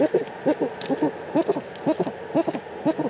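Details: Eurasian eagle-owl at its nest site in the Eifel, Germany, recorded on 4 March 2020: low, paired hollow notes with a slight rise, repeated roughly once per second in an irregular series against quiet background hiss.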